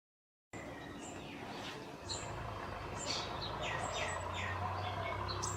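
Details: Scale-breasted munia calling in Assam, northeast India, in March 2025: rapid, high, thin chirps with short downward-sliding notes, several overlapping in quick succession, over a steady low hum and rustling background.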